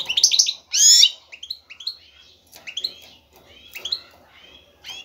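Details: Male European goldfinch, ready to breed, singing excitedly to call and attract a female for mating. Rapid bright twittering bursts and chirps, some loud and buzzy, broken by short pauses between phrases.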